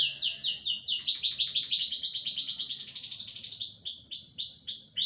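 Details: Agitated canary in full song, starting with fast descending slurred notes, then long buzzy rolling trills held at one pitch, ending in repeated downward-swept whistles.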